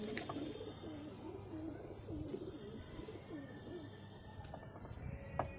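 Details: Low rolling coos from a pair of Cheene pigeons, a string of wavering phrases one after another, with faint hiss and a few clicks behind.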